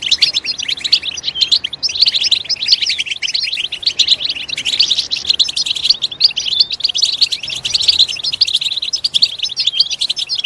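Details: Goldfinch song played to stimulate another goldfinch to sing loudly: a dense, continuous high twittering of quick chirps and trills with no pauses, possibly several birds together.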